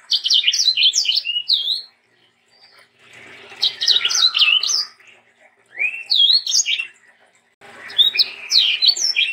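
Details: Sanger in lively song, recorded to train young birds: bursts of rapid whistled slurs separated by silent pauses of a second or two, four bursts in all.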